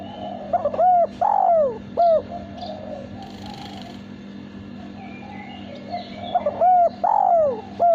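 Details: Male spotted dove, kept caged and valued for melodious contest cooing, repeating its phrase twice about five seconds apart, each a short note, drawn-out falling coo and short final note, over a steady hum.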